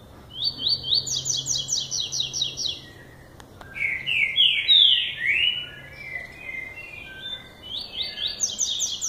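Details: Male lined seedeater starting to sing in the classic style: a fast run of high, stuttered notes, then loud descending slurred whistles, then the stuttered run begins again.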